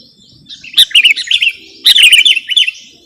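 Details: Sooty-headed bulbul lure and masteran track: two lively phrases of rapid, bubbly up-and-down chirped notes, each lasting about a second, separated by a brief pause.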